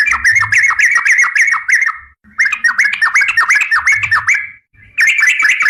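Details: Sooty-headed bulbul, trucukan garuda type, singing vigorously in the gacor style for a masteran tutor recording, with long ropel runs: fast bubbly chattering notes with slurred whistles, in two bursts split by a short pause, with a soft low hum beneath.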